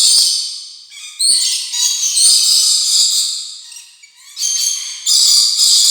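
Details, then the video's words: Rainbow lorikeet chatter: harsh, buzzy screeches high in pitch, coming in bursts with short drops in loudness between them. "PARROT CHATTER, 오색앵무새"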